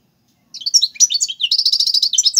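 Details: European goldfinch song in the tiwawati galoubi and serfati styles for tutoring young birds: a tumbling jumble of tinkling twitters that slides into a fast, even chattering trill.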